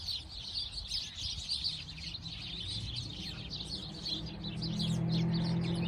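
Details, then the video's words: A flock of sparrows chirps busily, with overlapping short, high chirps several each second, over a steady low rumble and hum. "Relaxing sparrow sound | relaxing bird sound | birds chirping sound"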